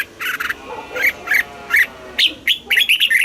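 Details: Thai caged Red-whiskered bulbul song in the southern master style, meant for teaching young birds: a short run of bright, slurred whistled notes, each rising and falling, ending in a quick tumbling flourish.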